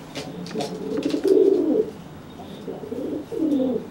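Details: Pigeon puffing up to threaten a wet companion that cannot fly after bathing; one long, loud rolling coo followed by a softer second phrase, with scuffling taps at the start.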